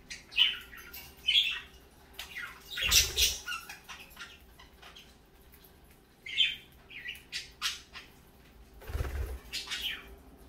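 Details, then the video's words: Parakeets squawk and chirp through the morning in irregular bursts, with two louder, rough outbursts accompanied by dull bumps, and brief quiet stretches between the calls. "parakeets morning fun"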